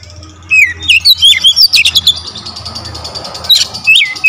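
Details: Kacer, the Oriental magpie-robin, singing a tight sequence of varied whistles and chirps, fast and irregular, with swooping notes rising and falling over a faint steady hum.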